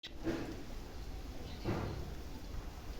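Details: Two dull knocks, like a cupboard or door closing, sound over a low background rumble. No animal calls can be picked out.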